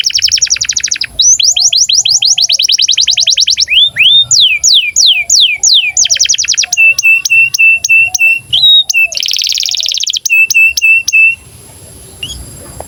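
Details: Long canary song from a bird in breeding condition, for tutoring young canaries: alternating rapid trills, swooping whistled phrases and clipped repeated chips, with a low faint background tone, ending in near silence.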